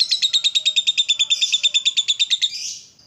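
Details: Provoked, excited lovebird in ngekek long chatter: a fast, very regular string of piercing squeaky notes for over two seconds, ending in a smeared trailing squeal.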